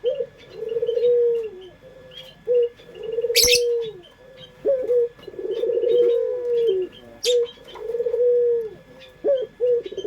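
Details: Local puter dove (Barbary dove) singing the prized pelung style used as a lure: low mellow coos, each a rolling opening that flows into a long steady hum, repeated several times with short pauses and faint high chirps behind.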